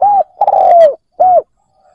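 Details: Spotted dove used as a decoy to draw in wild birds: a rounded coo, a longer falling coo, then one more arched coo, clear and close.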